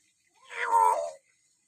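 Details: Common hill myna giving its typical call: a single rough, harmonic-rich note lasting under a second that bends slightly in pitch. Clean background.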